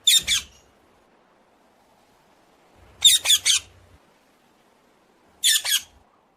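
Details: Common hill myna making three short bursts of two or three rough, buzzy squawks spaced a few seconds apart, with a faint low hum in the background.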